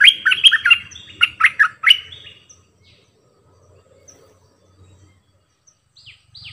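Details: A decoy bulbul delivers two quick warbling phrases, then goes silent. Thin descending squeaks follow near the end.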